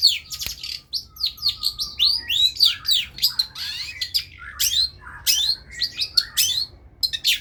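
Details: A long-tailed shrike sings energetically in a tutoring recording for other birds, giving varied high chirps, slurred whistles and squeaky notes in quick succession, with a faint low steady tone underneath early on.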